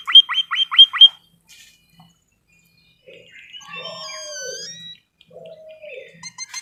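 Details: White-headed munia, kept as a cage bird, in a training recording: five quick high chips sweeping downward open, then a pause and soft low drawn-out mewing notes with a thin whistled phrase overhead.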